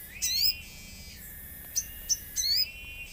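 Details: Common iora lure song with nature sounds: two high twisting chirp phrases bracketing sharp single ticks, with a thin sustained whistle under the phrases and a quiet background.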